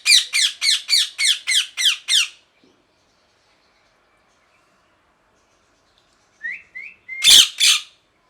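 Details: Parrot sounds: a fast series of seven harsh, evenly spaced squawks, a long quiet gap, then short rising whistles and two loud screeches.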